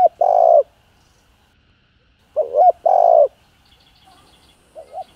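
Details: Spotted dove giving mellow, low coos to stimulate other doves, in calling, urging and crooning styles; a full rounded note, a pause, then a paired short-long phrase, and soft notes at the close.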